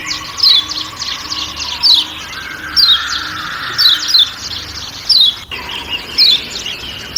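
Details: Kecial kuning (Lombok white-eye) giving its 'ciak ciak' call amid forest sounds on Lombok: short, sharp, descending chirps repeated every second or so, over a steady insect-like forest hum and a faint low tone.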